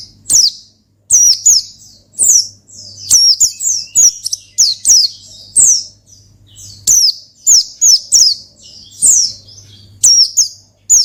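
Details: Near-continuous ngalas song from an Oriental white-eye, used to provoke a rival: dense, energetic series of high falling chirps and twittered phrases with only brief breaks, a faint low hum throughout.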